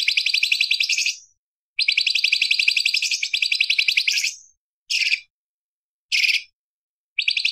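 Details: Light-vented bulbul (cucak cungkok) in a sharp, varied tutoring song for other cage birds: extended rapid rattling trills, then short clipped bursts separated by pauses.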